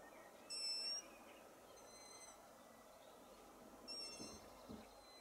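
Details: Long-eared Owl from a family with young nesting at a garden edge near village houses gives thin, high, squeaky whistled notes in short bursts about every second and a half, over a steady background hiss.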